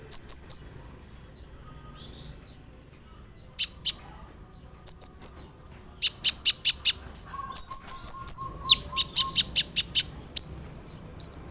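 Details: Olive-backed sunbird (kolibri ninja) song used as a lure so other sunbirds answer: clusters of sharp, very high staccato notes separated by silences, with a soft low rattle in the middle.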